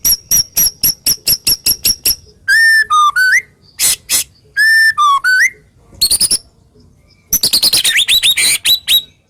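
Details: White-rumped shama (murai batu) singing full harsh, sharp 'tembakan' phrases, used to stimulate silent shamas to sing: a rapid series of about ten sharp clicks, then loud slurred whistles falling and rising, then dense buzzy trills.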